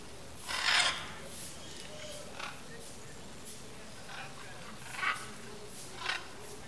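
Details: A pair of blue-and-yellow macaws hidden in riverside forest vegetation: one loud, harsh, raspy squawk, then several fainter squawks at irregular intervals, over a steady background hiss.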